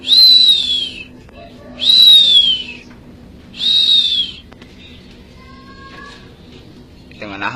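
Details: Energetic bar-winged prinia from Majalengka giving three high whistled notes, each falling slightly in pitch and spaced about two seconds apart, followed by quiet faint chirps and a soft rustle at the end.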